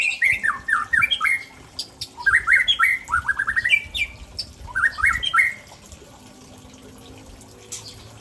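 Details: Shama of the Aceh type from Tangse singing rare borrowed phrases: three fast cascades of sharp descending whistled notes within six seconds, then quiet with faint background hum.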